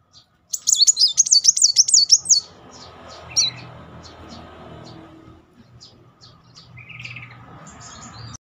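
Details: Van Hasselt's sunbird song used as a lure to make other birds sing and agitate them. A rapid, continuous, very high twittering burst lasts about two seconds, then sparse short thin chips follow, with a brief lower trill near the end. A faint low hum is underneath.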